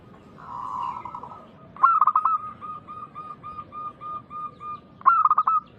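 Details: A loud local zebra dove sings as a lure for other doves. A drawn-out humming coo opens, then a loud burst of fast rolling coos, a steady run of short soft coos, and a second loud burst near the end.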